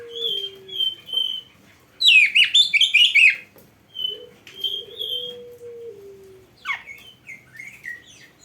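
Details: Oriental magpie-robin (kacer) song meant as a tutor recording for training birds: sweet whistled phrases, a dense burst of rich warbling notes, then further whistles and sweeping slurs.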